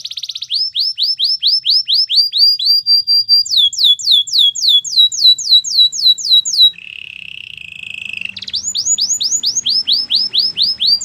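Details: Long canary training song: rapid descending whistled notes in steady series, shifting to a higher, faster run, then a low buzzing rolling tour before the quick whistled series resumes.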